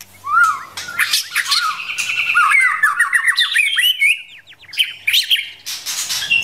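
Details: White-rumped shama, a forest-caught bird, female prompting the male to practise singing: varied whistled phrases with sliding, rising and falling notes and fast buzzy trills, interspersed with sharp clicks and rattles.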